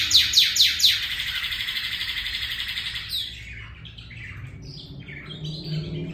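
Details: Northern cardinal copying canary song: four loud downslurred whistles open the phrase, followed by a long rolling canary-like trill and then softer scattered chirps.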